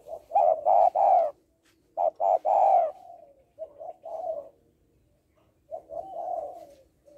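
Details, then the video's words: Female spotted dove calling to stimulate males: deep hoarse coos in two phrases, several short notes then a longer drawn-out coo, quieter softer coos following after pauses. "Cu gáy mái kích trống/ tiếng cu gáy mái kích trống hay"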